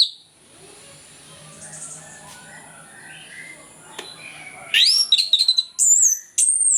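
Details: Ngeplong morning song of an orange-headed thrush used to stimulate lazy birds: a long hushed stretch with faint distant sounds, then a loud flurry of bright, looping whistles and high sharp notes.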